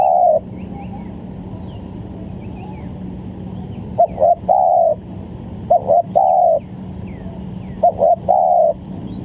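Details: Spotted dove coo used as a lure for trapping: short hollow coos in paired or triple groups, each with a brief lead-in note. The coos are spaced about two seconds apart over a steady low hum, with faint higher chirps in the background.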